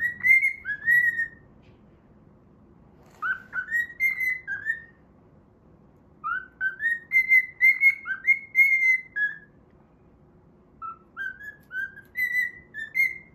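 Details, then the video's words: Whistled melody from a pet cockatiel singing as it plays, copying a children's TV opening theme: four bursts of clear stepped notes, some swooping upward, with pauses of a second or two between phrases, indoors and otherwise quiet. "歌いながら遊ぶミロ｜Milo playing while singing."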